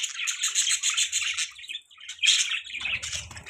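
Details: Budgerigars chirping in the morning: dense, scratchy warbling chatter with bright buzzy notes, a brief pause midway, then renewed chirps and a low rumble at the end.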